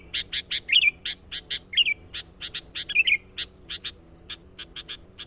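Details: Sooty-headed bulbul lure song, lively and insistent, used to attract wild birds. A steady run of evenly spaced sharp notes carries a few liquid warbled flourishes.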